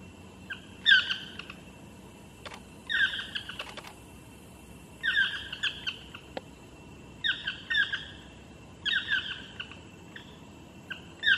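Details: Chestnut-mandibled toucans calling from a tree above Jaco Beach, Costa Rica, eight birds present: loud yelping two-part chirps with echoing quality repeated about every two seconds, over steady background hiss and a few sharp clicks; people briefly counting.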